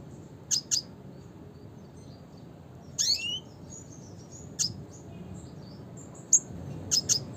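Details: Red siskin (Spinus cucullatus) giving a classic call: sparse, very high, sharp double chips, a downward-sweeping slurred note near the middle, then more brief high chirps spaced a second or two apart over a faint steady hiss.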